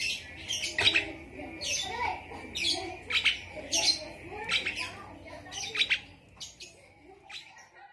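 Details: Asian pied starling song copying a lovebird: a series of harsh, buzzy squawks and chirps about every half second to second, with softer lower warbling notes in between.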